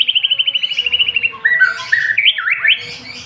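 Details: White-rumped shama singing a rich, varied 'isian' song: a quick run of repeated chipping notes, then swooping whistled slurs rising and falling, with a low background hum.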